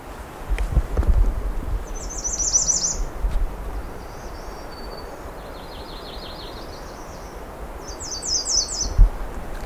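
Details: A female American Redstart sings right beside a trail at Pine Tree Point: three short bursts of thin, very high, rapidly repeated notes, spaced a few seconds apart, over a low rumble of environmental noise.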